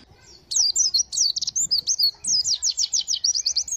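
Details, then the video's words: White-eye song of the 'tembakan isian' type: after a quiet start, energetic high warbling with swooping slurred notes, then a quick run of repeated sharp chirps continuing to the end. "Pleci Tembakan isian Mantap!!!"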